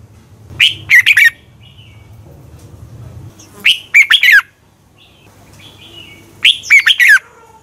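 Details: Red-whiskered bulbul lure song for morning training and competition singing, meant to spur other birds to sing: three short bright warbled phrases, each a burst of four or five liquid notes, spaced about three seconds apart over a low hum.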